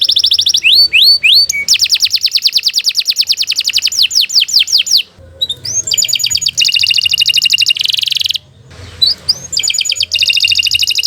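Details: Extended canary song with rising whistled notes leading into long rapid trills, then clipped buzzy rattles and further upswept whistles; a low background rumble runs underneath the high, bright phrases.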